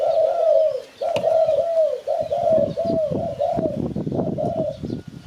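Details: Spotted dove calling, used to lure birds for catching: mellow, low-pitched coos in quick succession, each a slightly arched hollow note, nearly a dozen in five seconds, with a faint rumbling background.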